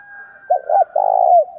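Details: Spotted dove calling in a fight-provoking style used in training: two short coos followed by a long, purring, trilled coo ending in a downward slur, over a faint steady high tone.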